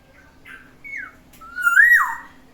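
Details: Morning song of a pet black-naped oriole kept in a cage: a brief buzzy note, a falling whistle, then a rich, mellow, fluty phrase swelling upward and dropping away.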